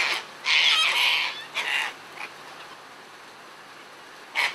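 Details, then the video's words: Feeding Sulphur-crested cockatoos in a frenzied group: one long, raspy screech of about a second, then a shorter harsh squawk, a long quiet gap and a final brief screech. "Sulphur Crested Cockatoos Playing"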